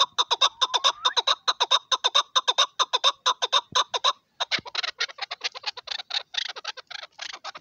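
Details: Excited local hunting chukar partridge in a continuous, rapid series of rough chuck notes, the rhythm briefly breaking near the middle before the calling resumes, slightly more ragged and hoarse.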